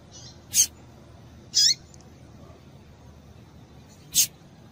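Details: Female double-collared seedeater calling to excite a male into singing. Three brief, high, slightly slurred chips are spaced unevenly over a few seconds, with faint softer notes between them against a quiet background.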